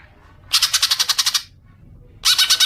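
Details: Green leafbird lure sound used to provoke long chattering: a rapid rattling burst of about ten sharp, even pulses lasting one second, then silence, then another rattle starting.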